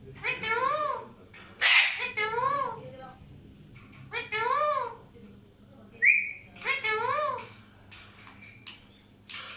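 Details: Alexandrine parakeets calling: several nasal, harmonic notes that rise and fall in arches, in bursts separated by short pauses, with one sharp high screech and a brief whistled upslurred note, over a low steady hum.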